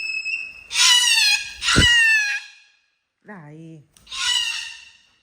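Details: A pet parrot living with a golden retriever gives loud, harsh, rich squawks in three bursts, while a person briefly tells it in Italian to stop between them.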